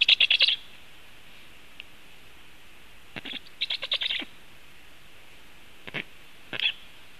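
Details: Black stork in Latvia during feeding, filmed by a nest camera on 21 July 2015 at 19:07; high, thin chirping calls come in quick rattling bursts of five to eight notes, with pauses of one to two seconds between groups and a quiet background.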